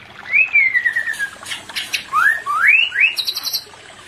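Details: White-rumped shama (murai batu), used to bring a pair that is not in breeding condition into breeding condition: a long falling whistle, then three quick rising whistled slurs, ending in a burst of high buzzy notes. The background is quiet.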